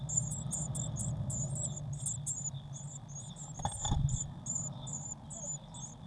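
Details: Eurasian blue tit calls inside a nest box on 19 May 2019, waxworm feeder nearby: rapid strings of sharp, high squeaky chirps, a brief knock midway, steady background hum throughout.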